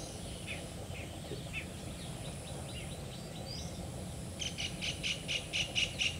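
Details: Cotton pygmy goose, also called cotton teal, a small perching duck: faint scattered chirps, then a quick series of short clipped notes at roughly two per second over steady low background rumble.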